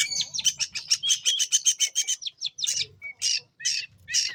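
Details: Lively long-tailed shrike song used as a lure for young forest shrikes: a fast run of harsh, buzzy, high notes repeated about twice a second, then looser scratchy bursts and short whistles with gaps between.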